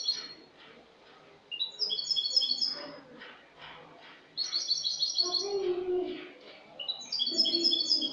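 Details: Spanish goldfinch, a bird from last year, singing clean song (cante limpio) on 22 August 2018: repeated liquid jingling phrases of quick high notes, with a lower murmuring sound underneath midway.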